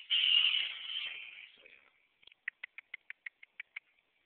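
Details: A young black bantam rooster of a pure black breed, about six months old, gives a thin, scratchy, high crow lasting about two seconds, then a quick run of about nine short, sharp clucks.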